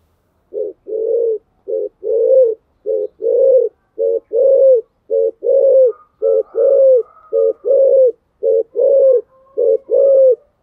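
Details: Spotted dove coaxing coos in the Thổ Sấm voice style, used to stir a rival bird into cooing: deep paired coos, a short note then a longer one, repeated steadily about once a second, with faint higher whistles in the background.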